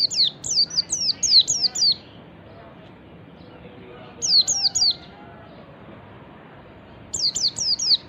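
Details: Wild-type white-eye (pleci ngalas) song used as a lure to provoke reluctant white-eyes into singing: three bursts of high, thin, downward-sliding whistles, five to six notes, then three to four, with quiet pauses between.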